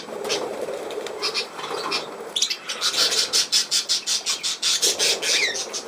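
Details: Budgerigar murmuring softly, then switching to a fast run of sharp, evenly spaced clicking pulses, about three per second, ending in a rising squeak.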